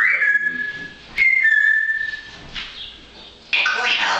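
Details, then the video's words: A parrot, very busy and chattering in fine weather, gives a long level whistle, then a second whistle that rises slightly and holds, and ends with a burst of harsh broadband chatter. "Manus de papegaai is wel erg druk met dit mooie weer."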